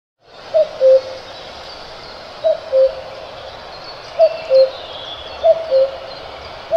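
Cuckoo giving its soft two-note 'cuck-oo', the second note lower, repeated four times about every one and a half seconds over a steady background hiss.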